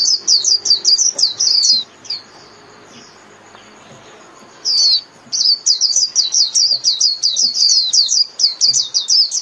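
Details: White-eye singing to call its flock: bursts of very high, rapid twittering notes that rise and fall, given in quick runs of about a dozen, with a silent gap of roughly three seconds between the bursts.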